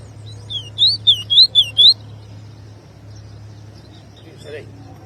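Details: Double-collared seedeater singing: a short burst of five or six sweet, looping whistled notes over about a second, followed by quiet background hum and a faint distant call.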